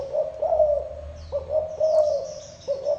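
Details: Spotted dove cooing, a low mellow note repeated in short phrases, with faint chirps of small birds high in the background.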